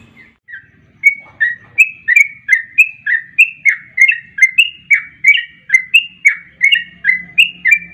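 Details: Fast 'garuda ropel' style sooty-headed bulbul lure sound. After a near-silent first second, a quick steady series of clear, whistled, slurred chirps follows, roughly three each second and alternating slightly in pitch, over a soft low background hum.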